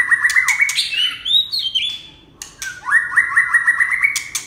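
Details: Red-whiskered bulbul delivering rapid, chattering whistled phrases that rise in steps and then fall, a short pause, then another rising run of bright notes, with loud clicks throughout.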